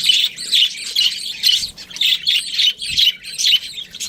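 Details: A pet budgerigar repeats short, bright chirping phrases roughly every half second, each a warbled high note, in a steady rhythm.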